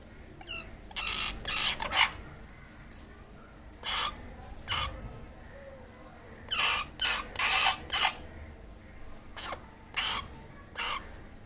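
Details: Rescued baby crow being fed, giving harsh, broadband begging calls in short bursts, several clustered together then pausing, about 154 per minute and irregular, with quiet background between calls.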